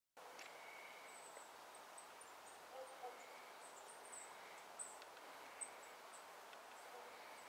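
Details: Golden-crowned Kinglets, very active in a yard in Corvallis, Oregon; very high, thin, faint tsee notes at irregular intervals over a steady rushing hiss.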